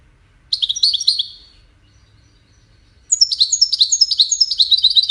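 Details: European goldfinch song in the Widani style, played for goldfinch chicks to learn from: a burst of rapid high twittering trills, a pause, then a longer run of quick tinkling, buzzy notes repeated many times a second.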